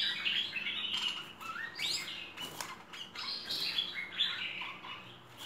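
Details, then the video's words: Merbah lekir bulbul in a full-fill training recording: quick, varied chirps and short rising whistled notes tumble over one another, with brief louder bursts and a faint low background hum. "Masteran Merbah Lekir Full Isian"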